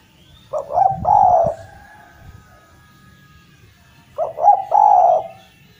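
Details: Javan collared dove (derkuku jawa) singing vigorously, used to coax silent doves back into song: two low three-part coo phrases about three and a half seconds apart, a short double note then a long drawn coo, faint background rumble.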